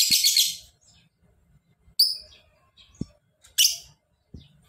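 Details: Lovebird giving a short harsh chattering burst, then two piercing high chirps spaced about a second and a half apart, with faint low background hum.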